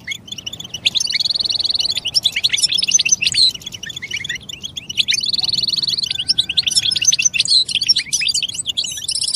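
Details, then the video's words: European goldfinch singing to prompt other goldfinches: bright twittering phrases with two clear buzzy trills, one near the start and one midway, separated by quieter liquid chatter and a faint steady whistle. "بتبتة الحسون نداءات فعالة في علاج صمت الحسون"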